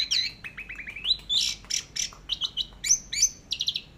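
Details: Orange-headed thrush in teler style, masteran recording: a fast stutter of short chips climbing into a loud buzzy burst, followed by crisp repeated high whistles and sharp chirps in quick succession.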